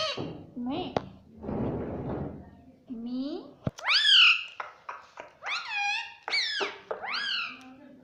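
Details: Pet ringneck parrot indoors. Human speech and rustling come first, then the bird talks in a lively series of loud, arched, nasal word-like calls and short clicks over the last half.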